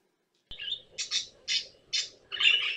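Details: Pet caique, a parrot kept indoors, giving five harsh squawks in quick succession, each a short noisy burst, the last one longer and louder, with a faint low hum beneath.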